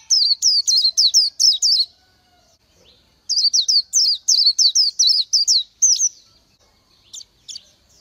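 Oriental white-eye singing rapid bursts of high, thin, twittering notes, about two seconds each, separated by a short pause; nothing else is heard.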